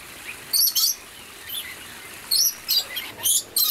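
Red lory giving shrill, very high squeaks and short screechy bursts, about eight in under four seconds at an uneven pace, over a quiet background hiss.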